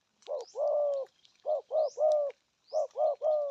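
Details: Regional-style 'gù thúc' cooing of a spotted dove: deep, rounded coos, a short note then a longer drawn-out one, repeated in three quick groups, with faint high upslurred chirps from other birds.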